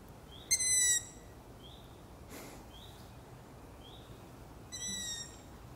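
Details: Long-eared owl owlets at night: two loud, drawn-out squeaky screeches rich in overtones, about two seconds and then five seconds in, with fainter, higher squeaks from other young repeating roughly every second between them, and a brief rustling noise near the middle.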